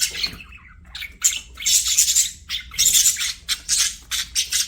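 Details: Playing budgies give quick harsh squawks and chirps in separate bursts, each under a second, grouped after a quieter opening.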